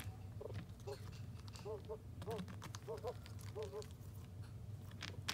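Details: A pet Muscovy duck, kept safe indoors in a box for the night, gives soft, short arched notes, often in pairs, every half second or so, over rustling, crunching sounds and a low hum.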